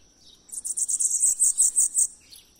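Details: Bananaquit singing the song style called "O Louco": one high, thin, buzzy trill of about a dozen rapid pulses lasting roughly one and a half seconds, over a steady high-pitched whine.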